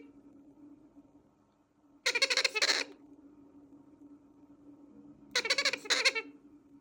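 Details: Young Bronze-winged pionus parrot making begging noises: two grating, stuttering bursts of rapid rasping pulses, each under a second, about three seconds apart, with a constant low hum underneath.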